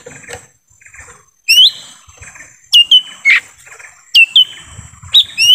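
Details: Lesser green leafbird forest call used for luring wild birds: after a quiet start, bright slurred whistles and harsh short notes come in groups of two or three.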